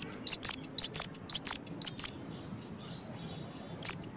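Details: Cinereous tit song used to draw other tits into singing: two seconds of quick, piercing three-note chirp phrases, a pause of nearly two seconds with faint background noise, then the phrase starts again.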